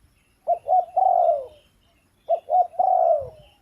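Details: Spotted dove calling: two phrases, each of two short low coos followed by a longer, drawn-out coo that slides downward, about two seconds apart; quiet background.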